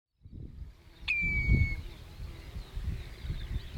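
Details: Common redshank (Tringa totanus) call at Ochsenmoor, Hüde, on 27 May 2018 at 07:10: one clear whistled note sliding slightly downward, over steady low rumbling wind noise.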